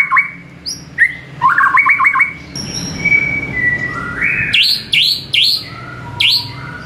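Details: Caged-bird training song of a White-rumped shama (murai batu) in the morning. Rising whistles and a quick chattering run come first, then a long thin whistle and a sequence of sharp high upswept notes.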